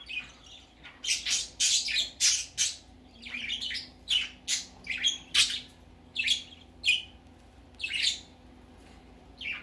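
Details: Baby budgerigar's first outing, with a steady run of bright, scratchy chirps and short chatter notes, clustered then spaced about every half second, over a low indoor hum.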